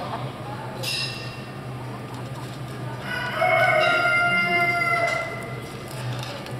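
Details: Swiss chicken rooster at a small-animal poultry show in Boncourt, Switzerland, 17–18 November 2012, giving a long drawn-out crow of about two seconds midway through, amid steady hall murmur and other faint crowing.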